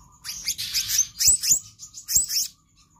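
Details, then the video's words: Black-naped Monarch in lively nonstop full-variety song, intended as a training model for other cage birds: high, buzzy twittering notes clustered in three bursts over three seconds, with a faint low hum underneath. "Kehicap Ranting Gacor Konslet Full Fariasi Cocok Untuk Pancingan/Masteran Burung Anda"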